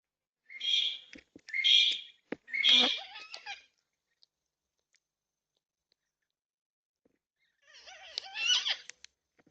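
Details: Yellow-tailed black cockatoos, four of them at a feeder in an Australian backyard in NSW, security camera recording from 20/3/26: three loud, clipped screeching calls in quick succession, then a quieter raspy call after a pause.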